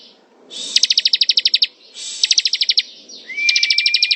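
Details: Rapid ngebren trills from a ciblek (bar-winged prinia): three bursts of fast, sharp repeated notes, the last rising out of a gliding whistle, with soft background noise throughout.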